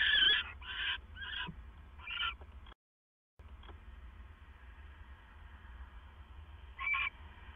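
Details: Owl at 2:32 AM on 25 September 2015, male bringing food to his mate: several loud, rasping screeches in quick succession, then a brief dropout and quiet hum, and one more short screech near the end.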